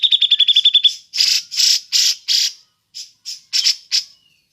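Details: Grey-cheeked bulbul in ngepik, suited as a lure: a fast run of high pik notes, then four loud buzzy rasping bursts and several shorter harsh notes.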